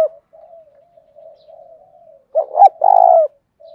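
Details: Spotted dove calling in the 'thúc' style: soft trailing murmurs, then a clear low coo of two quick hooting notes followed by one long, buzzy, level note that drops at its close.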